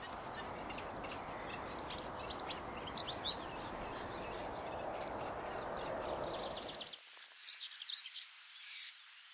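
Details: European goldfinch singing on a garden visit near alder trees; a rapid, dense run of bright twittering chirps for about seven seconds, then the sound cuts to near silence with a few faint high notes.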